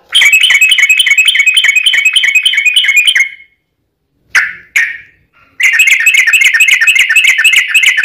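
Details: Yellow-vented bulbul giving a long, rapid chattering fighting song meant to provoke other bulbuls to answer. Dense repeated bright notes run for three seconds, then two short squeaky calls, then the fast chatter resumes.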